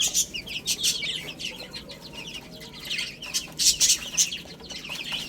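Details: Baby hens at a meal of spinach, steady high-pitched peeping from many chicks, bursts of louder cheeps between softer chirps, light tapping.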